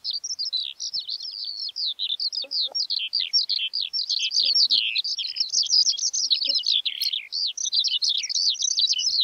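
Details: Skylark pouring out a dense, unbroken high warble of chirps, trills and slurred whistles, loud and hurried, barely pausing for breath; a few soft lower notes show up briefly in the first half.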